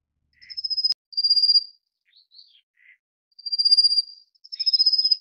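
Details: Rufous-faced Warbler tending chicks: rapid high buzzing trills in pairs, with a sharp click early on and scattered soft, lower twitters in the pause between pairs.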